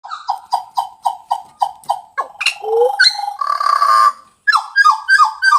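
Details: Pied butcherbird song: a run of eight short, rich whistled notes, evenly spaced and each sliding downward, then a louder swelling warble with harsher buzzy tones, a brief pause, and a final series of bright down-slurred whistles.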